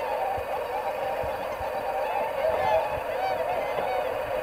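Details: Swans on 22 February 2019, gathered before their northward migration, a large flock giving a continuous chorus of mid-pitched honking and bugling calls that blend into a steady, even murmur, with a few clearer notes standing out.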